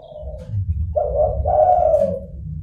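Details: Zebra dove lure call: a soft opening note, then a strong, rolling two-part coo holding a steady mid pitch, over a low background hum.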